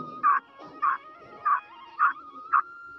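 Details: Female black francolin giving short loud bursts of calls, five notes spaced about half a second apart, with a steady high tonal hum running underneath.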